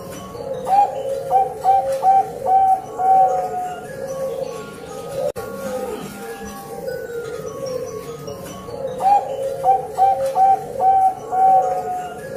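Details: Female Bangkok-type zebra dove calling to attract a male, used as a lure, gives soft bubbling coos in quick stuttering runs of about five notes, pausing between phrases, with a faint background hum.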